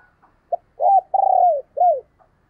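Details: Decoy spotted dove cooing to lure wild doves: a soft short note, then a two-part coo, a long rolling coo falling at the end, and a final falling coo, all low and mellow in a quiet setting.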